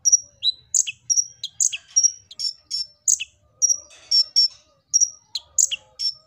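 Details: Kolibri ninja (Purple-throated sunbird) singing energetically, used as a lure to get other birds singing. High, thin chirps and short whistled notes alternate with falling slurred notes in quick bursts about every half second. No other sounds.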